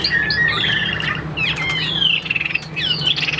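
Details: Caged Chinese hwamei offered for sale, giving sliding whistles and sweeping slurred notes. Quick repeated chips come near the end, over a low background hum.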